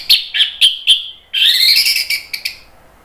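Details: Orange-headed thrush singing in a lure recording meant to push birds that have stopped singing into replying: four sharp whistled notes, then a long rising, slurred warble ending in two short clicks.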